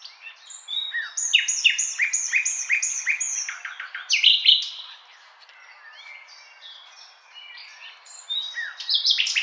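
A Common Nightingale sings a rich, varied phrase: a fast run of repeated sweet notes, a loud rising flourish, then softer mixed twitters.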